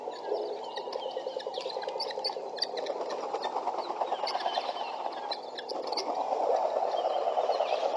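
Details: Guineafowl flock arriving at a pond on 5-10-12, chattering densely: harsh rhythmic cackling notes overlapping with higher chirps.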